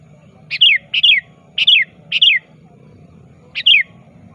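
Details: Kutilang or sooty-headed bulbul actively calling a rival, meant as a lure: a quick series of five bright downslurred chirps, four close together then one after a pause, over a steady low hum.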